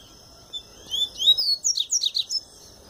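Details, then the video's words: Double-collared seedeater in the pure Tui Tui song style, a bird coming out of moult: several rising whistled slurs followed by a quick run of five or six sharp descending chirps, in a clean, quiet setting. "Papa-capim Tui Tui puro"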